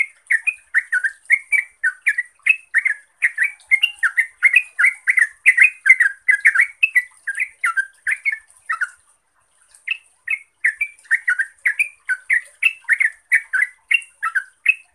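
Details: Yellow-vented bulbul song: a rapid, bubbly run of short gurgling notes almost without pause, a lure recording meant to get silent caged bulbuls singing.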